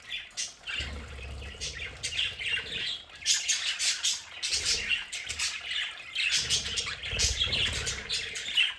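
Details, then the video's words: Several pet budgerigars in a home play area make a steady stream of scratchy squawks and chirps. Intermittent low rumbling sounds beneath the birds. "Sonidos de budgies para Budgies en casa"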